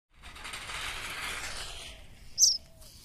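Cuckoo chicks give a long, hissing, rasping begging wheeze for nearly two seconds, followed by one brief, sharp, high chirp.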